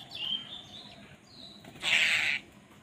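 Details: Crows squabbling over food give one loud, harsh, grating caw about half a second long, preceded by thin high whistled chirps from another bird.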